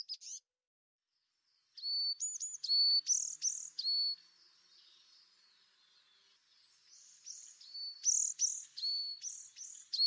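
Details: Tit giving sharp, high notes alternating with steady, level whistles, quickening into a lively, repeated pattern after a brief pause, over a soft hiss.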